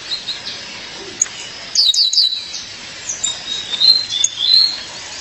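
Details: Female violaceous euphonia calling her partner: three piercing, downslurred high chips in quick succession, then a series of softer thin whistled notes.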